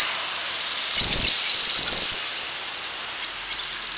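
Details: Waxwings feeding on rowan berries, giving very high, metallic trilling calls in overlapping bursts that run almost continuously, with faint low thumps in the background.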